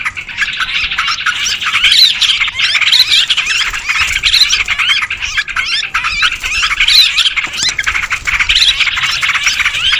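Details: Noisy lure recording of sooty-headed bulbuls, used to draw in wild birds: many overlapping chirps and scratchy squawks form a continuous, restless chatter, with clusters of rising notes every few seconds.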